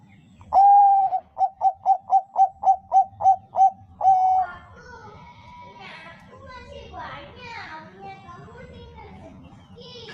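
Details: Zebra dove, Bangkok perkutut type, singing as a lure for other doves: a held coo, a rapid string of about nine short coos and another long note, after which people talk for several seconds.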